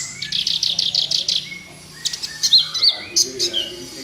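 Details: Kolibri ninja, a sunbird, in lively song meant to coax quiet caged birds into singing. A quick series of about seven high, scratchy notes, then scattered thin whistles and sharp chips.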